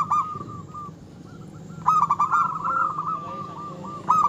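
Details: Vigorous local zebra dove song, used to agitate rival birds: a short cooing phrase, a quiet gap of about a second, then a long rolling, stammered run of mellow coos to the end.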